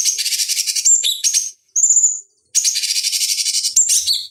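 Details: Cucak cungkok bulbul as a master voice for fighting-bird training: dense high scratchy chattering with short whistled slurs, a clear rising whistle between pauses, then renewed rapid pulsed chatter ending on a dropping note.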